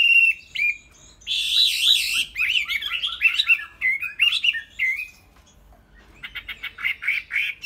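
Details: Tame Chinese hwamei giving clear whistles, then a harsh rasping burst that leads into rapid warbled phrases, a short silence, and a closing series of quick buzzy notes.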